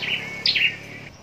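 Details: Short fragment from a caged contest-singing scarlet-backed flowerpecker in Long Thành, Vietnam: a high thin chip, then a quick sharp upward tick and a trailing faint note.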